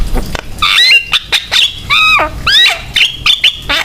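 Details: Javan myna in full voice, serving as a lure so other mynas join in singing; a string of loud, ringing whistles that rise then drop, mixed with short harsh clicks and buzzy notes, spaced by brief pauses.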